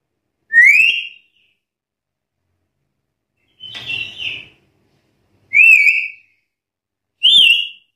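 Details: Black-capped lory challenging rivals: four loud whistled notes about every two seconds, mostly rising upslurs, one of them rougher and buzzier, separated by silence.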